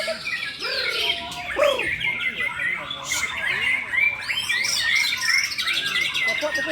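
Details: White-rumped shamas, two birds matched against each other in a singing bout: a dense, varied torrent of whistled and chattering phrases with rapid trills and sweeping notes, steady throughout, while a man talks in Indonesian nearby.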